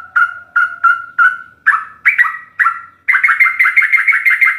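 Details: Sooty-headed bulbul master song for captive birds: four evenly spaced flat whistled notes, then louder descending warbles, ending in a fast bubbly run.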